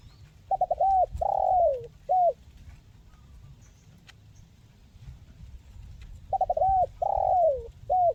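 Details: Spotted dove calling in the crisp 'mersik' style, offered as therapy for birds that rarely sing. Two full phrases come roughly six seconds apart. Each has stuttered opening notes, a long falling coo and a short final note, over low rumbling background.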